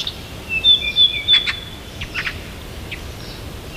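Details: A bird near Tomsk sings on a Siberian morning: a short burst of high, pure whistled notes at different pitches, followed by a few soft chips and quiet hiss.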